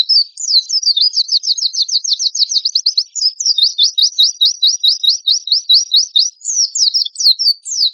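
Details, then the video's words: Energetic Oriental white-eye song with harsh bursts, meant to prompt other birds to sing: a fast, steady run of sharp, high, slurred notes that flick upward. The run repeats with little change, and the background is clean. "PANCINGAN PLECI GACOR TEMBAKAN KASAR"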